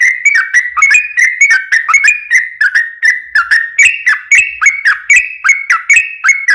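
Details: Sooty-headed bulbul in long, rapid 'ropel' singing, played as a lure to make other bulbuls answer; bubbly, liquid whistled notes tumble about three per second in rising and falling phrases, steady and unbroken, with no other sounds.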